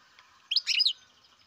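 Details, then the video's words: Baby European goldfinch from captive breeding gives a single quick cluster of bright, chattering high notes lasting under half a second, with a faint steady hiss behind. "Καρδερίνα εκτροφής μωρό (Goldfinch carduelis baby"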